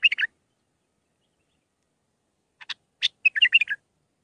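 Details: Young-bird training song of a bulbul in the six-phrase Mandalawi style. A brief warble opens, then after a pause come two sharp chips and a lively, rolling phrase.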